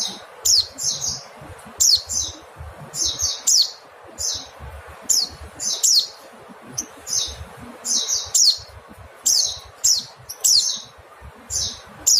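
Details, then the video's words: Mountain white-eye call series for songbird tutoring: bright, very high, slurred-down notes in pairs and triplets, spaced fairly evenly across the clip, background quiet apart from low noise. "Nada call pleci montanus/pleci kapur/pleci gunung"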